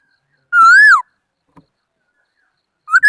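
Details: Singing laughingthrush: a single rich, rising-then-falling slurred whistle, a long silence, then another upward-sweeping whistle begins.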